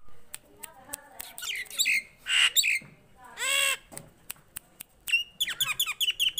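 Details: Nias hill myna, a tame caged bird singing loudly: varied squawks, harsh broadband bursts and clear whistled notes, followed by a quick run of sharp repeated chirps near the end.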